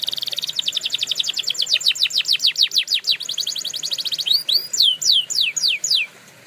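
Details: Training song from a canary: a rapid high trill slowing into a run of sharp downward-sweeping notes, then a fast chatter and a series of looping whistled slurs.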